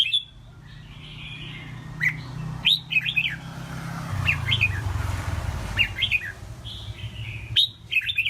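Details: Caged red-whiskered bulbul kept as a competition songbird, giving short bright chirped phrases that flick up and down, some clusters of two to three notes, over a steady low engine-like hum and faint background chatter.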